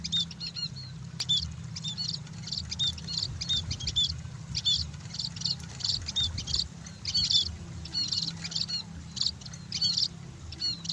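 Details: Scaly-breasted munias basking in the sun utter frequent high, thin chirps and brief whistles in irregular clusters, overlapping callers, with a constant low background hum.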